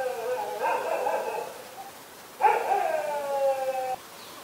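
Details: Raucous calls of a black-collared starling, recorded in Ubon Ratchathani, Thailand, on 24 October 2021: a grating screech of about a second, a pause, then a louder, longer rasping call lasting a second and a half.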